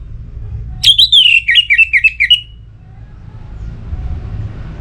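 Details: Orange-headed thrush, a kept contest bird from North Bali, singing loudly in breeding condition to call a rival: one burst of rapid, loud whistled notes, sliding and dipping, repeated about nine times over 1.5 seconds, then quiet hum.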